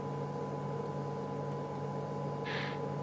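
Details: Steady mechanical hum with one brief noisy burst near the end, with no animal voice.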